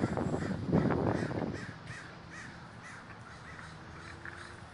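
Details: Crows at a large communal gathering in Davis, California, a dense chorus of harsh caws overlapping continuously, with a loud low rumble of handling or wind noise in the first seconds.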